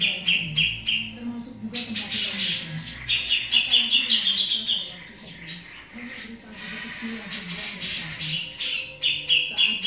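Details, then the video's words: Noisy grey-cheeked bulbul (cucak jenggot) pours out a dense, continuous stream of rapid chirps and bright whistled phrases, bursts overlapping almost without pause, with a faint low murmur of voices beneath. "cucak jenggot berisik"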